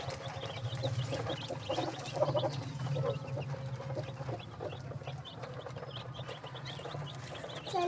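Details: Desi chickens and chicks kept on a rooftop farm at home in Pakistan during their daily routine; low clucking sounds mix with faint high peeps, over a steady low hum and a constant droning tone.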